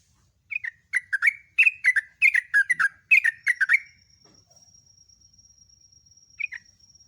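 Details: Sooty-headed bulbul song played as a lure for training captive birds: a lively run of rapid chirped and warbled phrases lasting about three seconds, then a single short phrase after a pause, with a faint steady whine behind.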